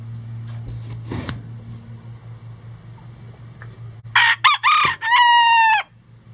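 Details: Rooster crowing, one of at least 20 standard and bantam breed roosters on a farm that crow all day; a few clipped harmonic bursts lead into a long sustained, slightly falling crow, over low steady hum and faint background clucks.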